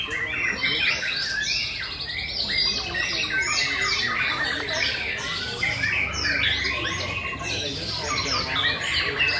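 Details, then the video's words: White-rumped shamas in a singing contest, May 2020: dense overlapping bursts of bright whistled and chattering phrases with rapid notes sweeping up and down, several birds singing at once with no pause across the stretch. "Chòe lửa đấu hót 5.2020"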